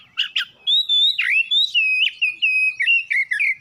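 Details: Oriental magpie-robin (kacer) kept at home, a short dense outburst of song for triggering singing: two sharp notes, then a steady sequence of sliding whistles, each phrase dipping and recovering.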